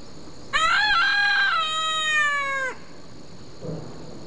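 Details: Farm rooster in a crowing exchange with another rooster, giving a loud, strained crow that holds steady, then slides slightly downward over about two seconds, followed by a faint low sound.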